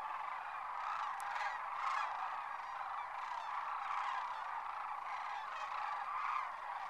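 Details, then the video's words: Sandhill cranes by the thousands taking flight at a winter roost at Whitewater Draw, McNeal, Arizona; a steady wall of rattling, trumpeting calls from many birds at once, with no pauses. "Sandhill Cranes Liftoff"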